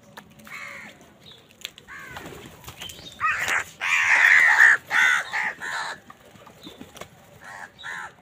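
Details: Crows fighting with wild birds over food give loud, harsh, broad caws in a cluster of about five bursts in the middle, with fainter chirps and rustling before and after.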